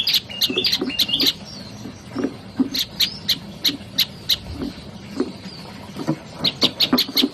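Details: Olive-backed tailorbird song: clipped, piercing chirps delivered in irregular runs, with occasional thin slurred whistles and soft low knocks in the background.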